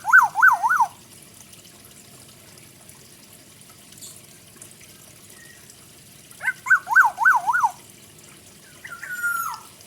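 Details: Black-naped oriole of the forest giving a full song with fill-in phrases: mellow whistled bursts of three or four quick wavering notes, two phrases about six seconds apart, ending with a brief falling whistle.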